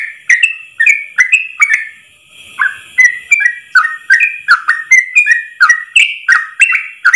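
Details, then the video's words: Yellow-vented bulbul in a long, unbroken 'ropel' song for training caged birds: quick whistled notes sliding up and down in a continuous run, with a short pause near the middle before the string resumes. "Masteran trucukan terbaik ropel 1 nafas panjang"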